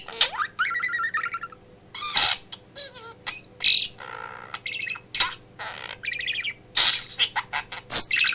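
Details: Pet budgie, male, chattering in a home office as its owner works; buzzy warbles, wavering whistles and loud clicking notes in irregular bursts, with a low constant hum in the room.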